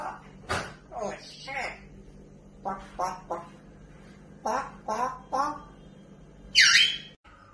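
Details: Pet African grey parrot swearing indoors: a series of clipped, word-like phrases with voice-like harmonics, separated by short pauses, ending with one loud shrill screech and a sudden cutoff.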